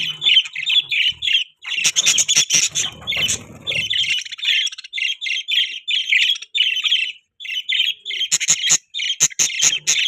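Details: Pet budgerigars kept for breeding, rhythmic high chirps and raspy squawks in quick bursts, broken by a noisy rustling patch and sharp clicks, then more chattering.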